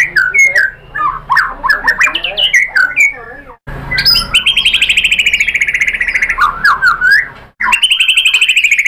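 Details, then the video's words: Murai batu, the white-rumped shama, in a lure recording for provoking 'tembakan' song: busy twisting warbles, then a long rapid buzzy trill held on one pitch, a brief pause, and a second high trill. "pancingan MURAI BATU agar bongkar materi TEMBAKAN"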